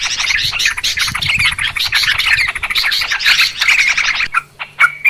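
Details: Yellow-vented Bulbul noisy chatter for luring birds into traps: a fast, harsh, dense babble of notes, ending in a few separate clear slurred calls.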